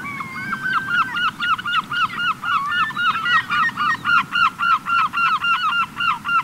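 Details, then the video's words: Gulls gathering in end-of-summer flocks on a beach in the Cotentin, 7 September 2024: a fast, steady series of loud, harsh, nasal calls, about three to four per second, with overlapping calls from other gulls and a constant low surf rumble. "Mouettes et Goélands/Regroupement/Fin d'Été !"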